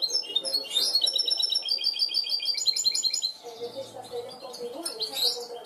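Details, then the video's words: Goldfinch hybrid educated to sing cante limpio, producing long runs of fast, evenly spaced bell-like trill notes, then a brief pause filled by low warbling background sound before a final twittered flourish. "mixto de jilguero educado a cante limpio"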